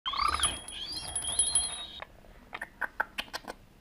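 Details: Pet budgerigar inside its cage, filmed in January 2016 with a camera mounted in the cage, ringing a bell to play with its owner: about two seconds of wavering, whistled chatter, then a run of sharp metallic clicks and taps.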